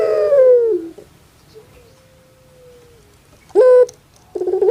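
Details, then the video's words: ['Kept puter pelung dove from Java, Indonesia, said to sound like a crying baby: a falling drawn-out coo, a faint long thin tone, then a short sharp note and rough stutters.'] "SUARA BURUNG INI SEPERTI ANAK MENANGIS"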